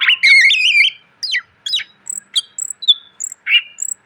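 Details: Greater green leafbird singing a varied master song for training cage birds: a warbled, wavering whistled phrase, then separate sharp chirps and high thin whistles in an uneven sequence, with a faint background hum.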